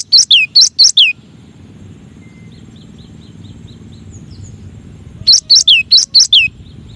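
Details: Gelatik batu, the cinereous tit, repeating a fast series of high chirps and falling whistles at the start and again near the end, with soft faint twittering from another bird in the quiet middle section.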